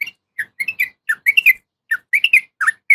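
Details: Female yellow-vented bulbul calling a male: quick bubbly series of short high chirps and whistled notes, irregular and rapid, with slight pauses between bursts.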